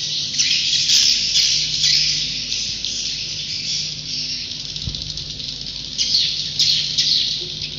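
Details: Many swiftlets calling at a roost make a steady, hissing, high-pitched chatter with occasional louder bursts, over a low steady hum.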